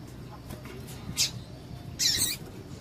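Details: A female double-collared seedeater calls to excite males: a brief sharp high chirp, then a longer buzzy high note about a second later, over a noisy low rumble.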